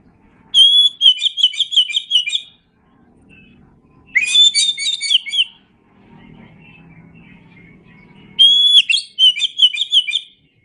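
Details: Oriental magpie-robin song recorded as a tutor track for training songbirds: three loud bursts, each opening with a clear sustained whistle and then a rapid run of warbled, chirping notes, separated by quiet gaps with faint low rumbling.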